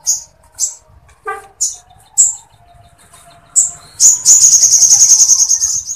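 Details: Sooty-headed bulbul mimicking Sampit woodpecker material in continuous song: spaced, sharp high chips with a faint low whistle behind them, then a loud, fast, very high trill lasting about two seconds.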